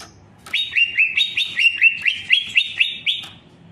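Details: Greater green leafbird singing a run of about ten loud, clear whistled notes. Each note slides up and then drops back, delivered quickly at a steady pace of roughly four per second, with a faint low hum underneath.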